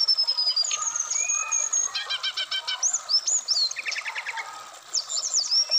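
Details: Black-throated laughingthrush, a caged songbird in Indonesia, in a varied full song used to prompt other birds to sing: high whistled notes, fast ladder-like trills and a rapid buzzy burst near four seconds, loud and continuous.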